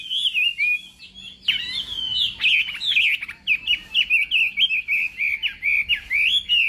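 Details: Chinese hwamei practising its voice in the morning, contest singing: a soft whistled opening, then an energetic string of sharp, clipped notes repeated several times a second, with a low steady hum behind.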